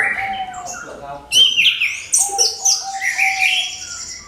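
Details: Lure song of an orange-headed thrush, meant to get other birds singing. A soft low whistle leads into loud, rapid, varied high phrases of chirps and rising whistles, crowded and continuous.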